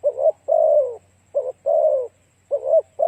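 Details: Spotted dove lure song with repeated phrases: a short wavering coo, then a long, smooth, falling croo, heard three times over a soft low hum.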